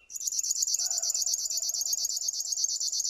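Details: River warbler song fading in to a fast, even series of high, harsh pulses, with a faint thin whistle at the start and a low murmur beneath.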